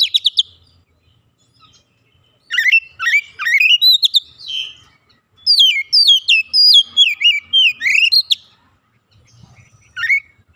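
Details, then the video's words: Oriental magpie-robin, an untrained bird singing at full strength and unloading its repertoire. Two long bursts of rapid, varied whistled notes slide downward and rise sharply, separated by short quiet gaps. "Kacer bahan langsung gacor bongkar isian"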